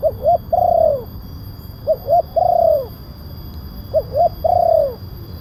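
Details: Spotted dove lure call for attracting wild doves, loud voice: three phrases, each two quick short coos then a drawn-out falling coo, spaced about two seconds apart over faint hum.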